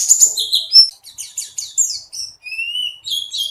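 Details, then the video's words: Buxtoni mountain white-eye singing, used by Indonesian keepers to spur other white-eyes into song: bright high chattering bursts followed by thinner drawn-out whistles, one long rising note, then renewed twittering; clean recording without background noise. "Suara Pleci Buxtoni"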